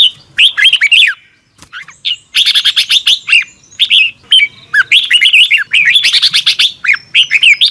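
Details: Energetic morning singing of a red-whiskered bulbul used for song training: long, almost continuous streams of rapid whistled, twisting notes and pulsed bursts with very short breaks.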